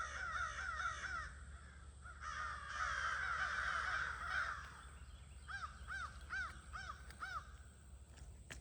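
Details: Crows calling at their near-evening gathering on 22 August 2026. Massed, overlapping cawing is followed by a run of distinct, evenly repeated caws, about three each second, near the end.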